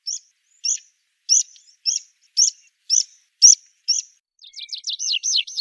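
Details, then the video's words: Rock pipit singing: eight sharp, high single notes spaced about half a second apart, followed by a quick trill of repeated looping syllables. "CANTO DELLO SPIONCELLO Canto de pipit (Anthus petrosus)"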